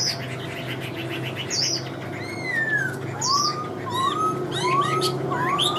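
Chinese Hwamei singing loud, slurred whistles that rise and fall, with sharp high chirps between phrases. A faint low hum runs underneath.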